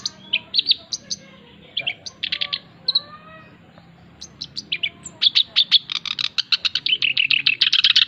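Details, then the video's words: Male black-browed reed warbler in full song, a recording meant to train and lure birds: sparse scratchy notes and faint low whistles at first, building into a fast, dense string of harsh repeated chips. "Bunyi Burung Kerak Basi Alis hitam (SINCHAN) Jantan Gacor"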